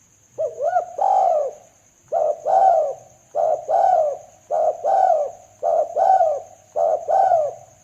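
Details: Spotted dove coos used as a trapping lure: a sequence of doubled, slurred coos roughly every second, over a constant thin high-pitched whine and a faint low hum.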